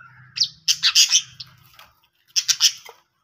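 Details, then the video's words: An Australian parrot makes bright, high chirps in two quick clusters, four or five sharp notes each, separated by a pause, over a soft low hum. "Australian Parrot Voice Sounds"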